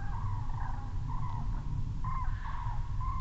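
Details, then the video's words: Common cranes flying over in Estonia on 18 October 2015, mid-pitched trumpeting calls repeated every half second or so, partly overlapping, above a strong low rumbling background noise. "Cranes flying over"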